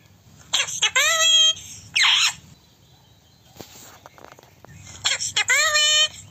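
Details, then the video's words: Indian ringneck parakeet making its natural calling sounds; two drawn-out, harsh, nasal squeals rich in overtones, with a short rasping burst between them, against a low background hum. "parrot sound kiss kiss। Ringneck natural sound।calling sound"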